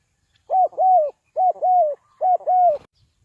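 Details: Spotted dove used as a decoy to lure wild birds into a trap, giving three clean two-part coos: a short note, then a longer, lower, falling coo, repeated about every 0.8 seconds, with no background noise.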